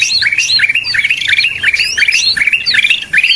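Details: Greater green leafbird lure sound: an energetic, varied stream of chattering and whistled notes, many short up-and-down slurs repeated in a lively, unbroken sequence.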